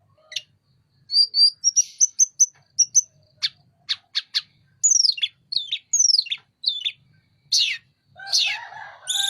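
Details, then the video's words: Sunda robin in energetic song while opening its wings: a string of short high notes, sharp clicks, descending slurred whistles, then harsh buzzy phrases to finish. "Burung Tledekan gunung gacor buka sayap"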